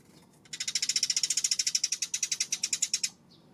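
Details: Eurasian tree sparrow on an April 25 afternoon giving a fast, dry rattling chatter of about twenty-five evenly spaced high pulses over roughly two and a half seconds, followed by a faint soft note over low background hum.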